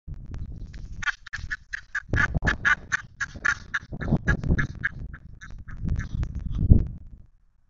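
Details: Egyptian geese, dominating at a stork nest at Gevattersee, Meissen, give a rapid run of harsh, nasal honks, several a second for about six seconds, over a low wind rumble.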